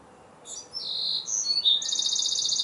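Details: Wrens communicating with each other in song: a loud, very high run of varied notes that closes with a long, rapid, pulsing trill.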